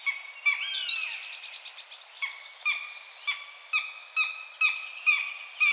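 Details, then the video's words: Common buzzard giving a drawn-out, downward-slurring mewing call, followed by a series of short, clipped notes that repeat roughly twice a second. "Canto da águia-de-asa-redonda/bútio-comum (Buteo buteo)"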